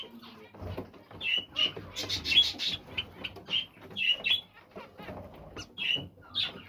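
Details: Zebra finches calling in quick, irregular bursts of short nasal beeps, several notes crowding together at times, with soft rustling and scratching in the background.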